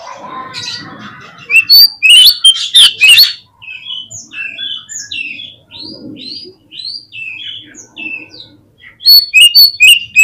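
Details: Oriental magpie-robin song used as a lure to provoke quick replies and tail-opening: a loud burst of sharp whistles, then a steady run of softer, evenly spaced whistled notes, ending with another loud rapid burst.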